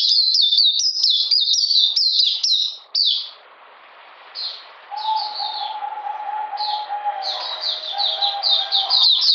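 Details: Oriental magpie-robin in captivity on a cold, rainy 13 June 2020: fast, sharp chattering phrases, a pause filled with low background noise and a steady faint tone, then scattered notes building back into rapid song.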